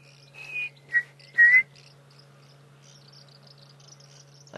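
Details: Chinspot Batis at sunrise in Sabi Sand, South Africa, 2 July 2016, in a quiet, subdued dawn chorus, gives three clear, high whistled notes, each a little lower or flatter than the first, over a steady low hum and soft chatter from other birds.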